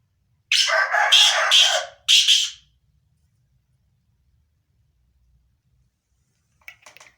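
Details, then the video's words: Black francolin (kala tetar), described as Sindhi breed, calling: a loud harsh grating phrase of rapid scratchy notes lasting about two seconds, a brief pause, then one more rasping note, followed by quiet with faint distant chirps. "kala tetar ki awaz"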